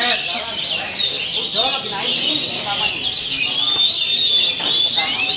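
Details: Caged Javan bush lark from Java singing at a song competition on the hanging pole, singing vigorously with a rich mimicry-filled song: dense, fast, overlapping high twittering and trilling phrases run continuously, with faint voices low beneath.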